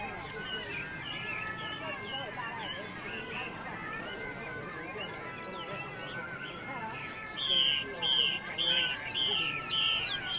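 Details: Several caged songbirds, recently caught wild birds for sale at a highland market in northwest Vietnam, males singing and females hissing, chirp and trill in bright high notes, nearly two a second, with louder bursts near the end over market voices.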